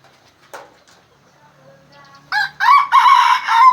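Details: Red junglefowl from Aceh crowing near an F1 hybrid lure bird, a loud harmonic multi-part crow in the last second and a half after quieter faint sounds.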